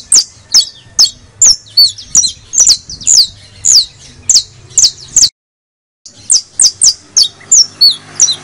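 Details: Bright high chips from a criollo canary recording, played so pet canaries get excited and sing: a fast, even series of downward-slurred notes, about two per second, broken by a brief silence before resuming.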